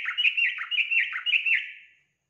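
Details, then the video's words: Sound meant to stir a kept yellow-vented bulbul to sing: a dense, rolling chatter of quick warbled notes that rises and dips rhythmically, then fades out. "Pancingan Trucukan agar Trucukan cepat Bunyi dan Gacor"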